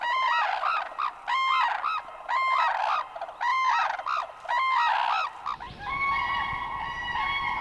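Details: Crane calls in the wild: a series of loud, bugling honks with arched, harmonic-rich notes, repeated about once a second for five seconds, then a steadier drawn-out tone over a noisier background.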